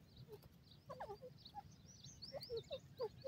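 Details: Francolin (teetar) calling at home: brief, clear, slightly downslurred notes given in a quick irregular series, with softer higher chirps scattered between them and a low background hum.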